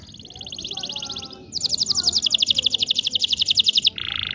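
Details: Indonesian local canary song aimed at training young canaries to sing: a steady buzzy trill, then a louder fast rolling trill of rapid pulses, ending with a short harsh buzz over light background noise.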